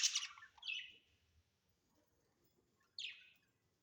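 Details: Budgerigars kept as pets at home give a quiet pair of quick scratchy chirps, a pause, then one more downward-sliding chirp.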